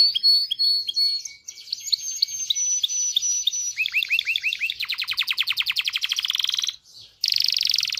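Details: Canary song meant to push males and females toward mating: varied chirps and whistles, curved rising notes, then a fast rolling trill, a short break and a buzzy burst.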